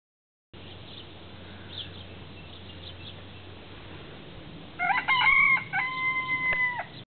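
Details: Rooster at the Isle of Man zoo crowing: after several seconds of steady background hiss, a loud harmonic crow in two drawn-out strained sections near the end, with a brief break between them.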